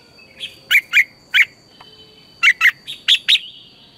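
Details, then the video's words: Red-whiskered bulbul singing in the morning, a lure recording used to train other bulbuls: bright, sharp, whistled notes in short bursts of two or three, with pauses between, over a steady high whine. "luyện chào mào hót sáng, Hót hay KÍCH BỔI NHANH CĂNG LỬA, Cách luyện chào mào hót căng lửa"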